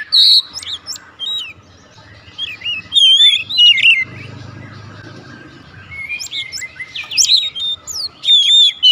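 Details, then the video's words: Singing Oriental magpie-robin launching straight into a rich, varied song of sharp whistles, rapid chirps and high slurred notes, pausing briefly midway while a low muffled rumble sounds, then resuming with bright repeated phrases. "kacer langsung nembak"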